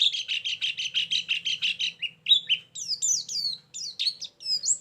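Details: Lure song of a white-eye used to attract birds for trapping: a fast run of evenly repeated chirps followed by varied high descending whistles and sharp slurred notes, with a faint low hum beneath.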